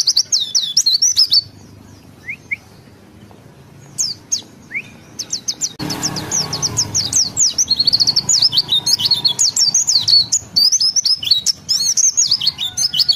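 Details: Indonesian pleci white-eye (Zosterops), a caged songbird known for mimicking other birds, singing ngalas ngeroll with open beak: high chattering chirp series, a pause with soft whistles, then a long, fast, rolling warble.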